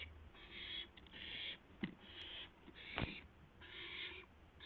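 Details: Owl at its nest near midnight in April 2016 as a mouse arrives: a few rasping hissed screeches separated by short gaps, broken by two sharp knocks, over a steady low hum.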